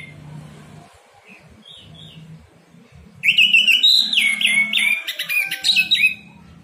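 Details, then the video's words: Orange-headed thrush song used as a morning training track for caged birds: after quiet soft notes, a loud burst of rapid varied whistles and chattering trills, dense and fast, with a low hum underneath. "terapi Anis merah ngeplong pagi pancingan anis merah macet bunyi masteran anis merah cepat bunyi"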